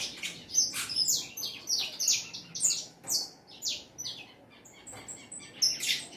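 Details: Saffron finch singing a lot: loud, fast, high chirps and short sliding notes pour out in dense bursts. Pitch stays high and the phrases rise and fall in volume about twice a second.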